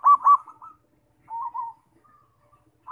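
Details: Zebra dove singing, used as a lure to provoke other doves into song: a quick pair of rolling cooing notes opens, followed by a softer, lower trill and a fresh coo starting at the end.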